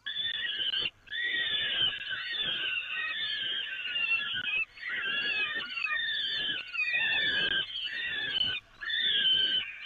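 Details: Peregrine falcons at the Evoluon, fed from the grating on 13 May 2018, give loud, raspy screeching in long runs broken by three short gaps, topped by repeated thin rising squeaks.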